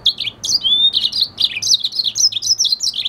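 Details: Red siskin hybrid, a red hooded siskin and canary F1 cross, delivering a fast continuous warble of buzzy chirps and short slurred whistles, repeated without pause.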